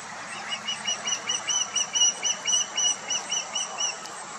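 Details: Osprey nestlings in their nest calling to each other: a steady series of short, high, thin piping notes, about four a second, over a constant background hiss.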